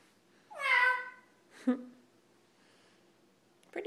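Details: Pet lilac-crowned amazon indoors giving a loud, drawn-out cat-like meow with a harsh harmonic tone, followed by a short clipped note; a person speaks softly nearby.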